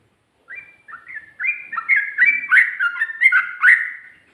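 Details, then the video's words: Sooty-headed bulbul delivering its 'ropel' song with 'ngikluk' and 'garuda' touches: an accelerating, ever louder stream of bubbly, liquid whistled notes, closely packed and chattering, over a quiet background. "Burung Trucuk Ropel,ngikluk...ada ngGARUDAnya juga"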